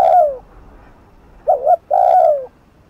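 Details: Spotted dove cooing to goad a rival toward a decoy, a long slurred falling coo, then a quick two-part note and another long descending coo, low and clear over a quiet background.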